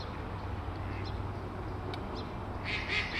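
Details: Canada geese gathered at ponds in Whittier, California, early 2008: after faint distant calls, a short burst of loud, overlapping nasal honks comes in at the end, over constant low background rumble.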